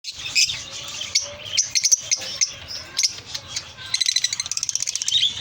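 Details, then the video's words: Lovebirds chatter in shrill, high chirps and squeaks, with a fast run of sharp, repeated notes near the end. "Love birds sounds"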